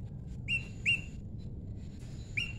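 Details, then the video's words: Prinia in the wild, paired birds, giving three sharp upward-flicking notes near two kilohertz, separate chips spaced at irregular intervals, over low steady background rumble. "prenjak lumut jodohan alam"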